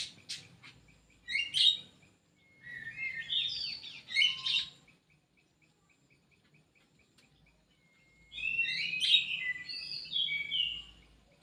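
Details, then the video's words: Two bursts of rich, warbling song come from a kidangan kaso kaso, an Indonesian bird housed in an aviary. A quiet stretch between them carries faint thin whistles. "BURUNG KIDANGAN KASO KASO"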